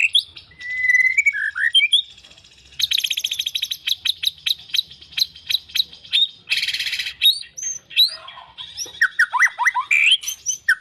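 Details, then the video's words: White-rumped shama pouring out a varied song of slurred whistles, a fast stuttering rattle, a harsh noisy burst and clusters of bright upswept notes. "murai faighter mental juara"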